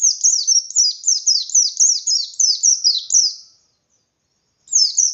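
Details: White-eye in forceful ngalas song, used as a lure so weaker white-eyes answer and compete: a long fast string of shrill, downward-slurred chirps, a short gap, then the song starts again.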